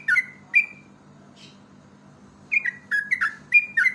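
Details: Yellow-vented bulbul song used as a lure for other birds: short bright whistled phrases, each note slurring downward, one brief phrase near the start, then a rapid burst of repeated falling notes toward the end, with a low steady hum underneath.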